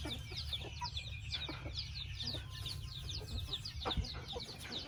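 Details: High, thin chicken peeps slide downward and repeat in a dense, steady stream from a chicken house, with a low background rumble underneath.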